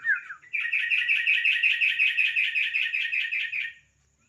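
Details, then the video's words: Yellow-vented bulbul song used as a lure to prompt other birds to start singing: a brief slurred lead-in, then a fast, continuous bubbly warble of rapid chattering notes for about three seconds before it stops abruptly. "Suara pancingan burung trucuk agar cepat Garuda"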